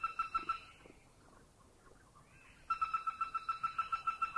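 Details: In Thailand, a Greater Flameback calls with two runs of a monotone, machine-like rattle. The quick, evenly spaced notes hold one pitch, separated by a quiet pause of about two seconds.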